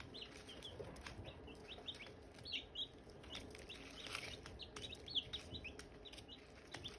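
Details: Silkie chicks and hatching eggs give soft, high, short peeps in a steady scattered chatter, partly masked by broadband rustling and a low hum.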